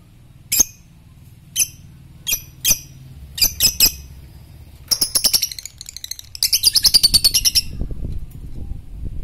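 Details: Fighter lovebird giving high, sharp ticking notes at irregular intervals, which run into fast, shrill trilled bursts of rapid chattering squeaks.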